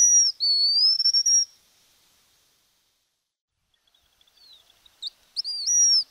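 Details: Streamer-tailed Tyrant, known in Argentina as tijerilla, giving high, thin, drawn-out whistled notes with a sharp downward-then-rising sweep, then a pause and a fresh burst of squeaky whistles near the end.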